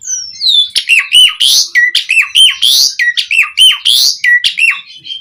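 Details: Asian pied starling singing hard with a rich repertoire to spur other starlings: a falling whistle opens a steady series of loud, bouncy downslurred whistles broken by rasping notes, roughly one per second.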